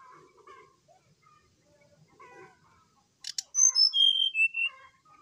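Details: Brown-chested jungle flycatcher singing in the morning as a lure for another bird: faint low chatter, a sharp click, then a loud phrase of high whistles stepping down to lower notes.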